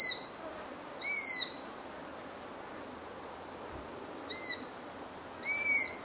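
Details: Eurasian sparrowhawk (Accipiter nisus) giving four thin, high, slightly falling whistled notes, spaced unevenly over six seconds, against a faint background hiss.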